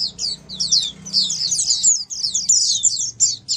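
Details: Oriental white-eyes singing as a flock, used to prompt silent white-eyes to reply and sing; dense overlapping high, thin chattering twitters in rapid bursts with brief gaps, faint low hum beneath.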